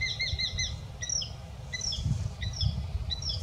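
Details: Eurasian Hobby at dawn on the Iberian Peninsula, while an Iberian azure-winged magpie feeds its recently fledged chicks; a sharp, high-pitched call comes as a fast run of ringing notes, then several short downslurred notes, over low rural rumble.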